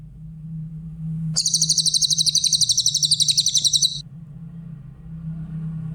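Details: Masteran song of a grey-headed canary-flycatcher for tutoring other songbirds. After a quiet start, a bright, high trill of quick repeated notes runs for about two and a half seconds and stops abruptly. A low droning hum continues throughout.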